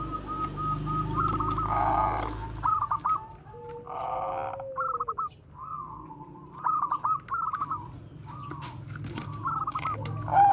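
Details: Bangkok zebra dove cooing, bekur koar-koar style, used to lure and train other doves; soft rolling trilled phrases repeated in short bursts over a steady low hum, with a brief sliding note near the middle.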